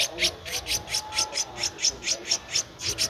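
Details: A 13-day-old Streak-eared Bulbul nestling recorded 15 April 2023 in Ubon Ratchathani, Thailand, gives a regular run of sharp, high-pitched squeaks, roughly four per second, over faint background noise.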